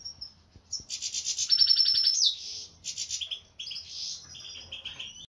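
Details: A Major goldfinch, Brown Whitehead split Isabellpastell x Isabellpastell mutation, starts after a quiet moment with a liquid twitter. A short pause follows, then a burst of buzzy trills and whistled notes, then tinkling phrases.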